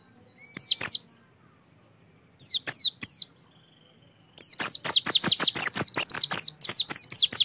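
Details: Oriental white-eye song used as a lure to prompt singing: high, sharply falling chirps in short bursts of two or three, then a fast run of rapid repeated notes over a quiet background.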